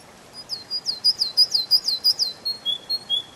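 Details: A canary sings in a spring forest, a rapid, evenly paced series of bright, high, falling notes, roughly five per second, followed by a few sustained pure whistles.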